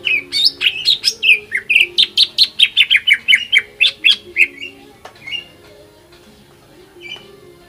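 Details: Provoking song of a greater green leafbird, used to make other leafbirds pour out their song: fast, lively sequence of rising and falling whistled notes for five seconds, then a few isolated chirps, over a low steady hum.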